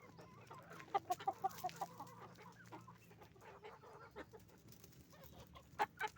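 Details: Roosters and hens on a chicken farm making noise; a quick run of short clucks around the first second and a couple more near the end, over a steady low hum and busy flock chatter.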